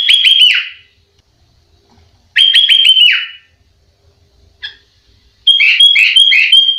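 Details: Sooty-headed bulbul singing vigorously, used as a master recording for training other bulbuls; rapid stuttering whistled notes ending in a downward slide, repeated twice, then a brief note and a run of even, rolling whistles.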